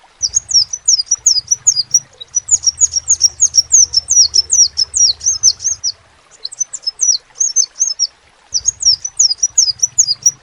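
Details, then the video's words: Long bursts of piercing, downward-slurred notes from a crimson sunbird, delivered quickly with two short breaks between phrases, and a low droning hum underneath. "SEPAH RAJA TERNYATA MEMPUNYAI KELEBIHAN DARI SEGI SUARA NYA YANG KHAS"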